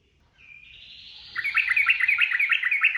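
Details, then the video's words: Yellow-vented bulbul singing ropel style: a soft rising whistle leads into a quick, chattering trill of repeated bright notes, loud and steady to the end. "SUARA TRUCUKAN ROPEL GACOR"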